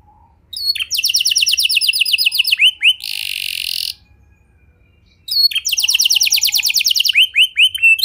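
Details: Canary song used as a lure to get other canaries singing: fast trills of rapid descending notes repeated in long runs, broken by a harsh buzzy burst near the middle and a pause before trilling resumes.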